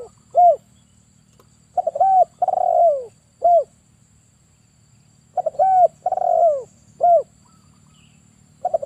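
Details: Male spotted dove used as a trapping lure coos in repeated low three-part phrases: a short note, a drawn-out downward-sliding coo, then a brief final note. Each phrase comes about every three and a half seconds.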